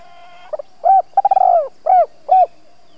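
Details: Decoy spotted dove calling in the thúc–gáy gọi manner to stir wild doves: brief hooted pickup notes, a long wavering coo, then two short arched coos, mellow and low, over a quiet background.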